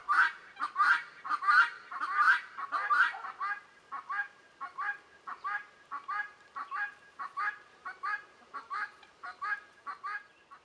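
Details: Guineafowl calling in the background, loud rasping two-syllable cries repeated at a fast, steady pace of about one and a half per second, growing softer and thinner in the second half.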